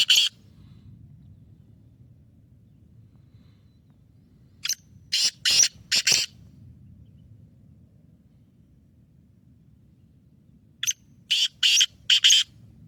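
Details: Black francolin (kala teetar), kept bird with a fast nasal lakka-style voice, calling twice: a single note, then a stuttering phrase of four harsh grating notes, repeated after six seconds.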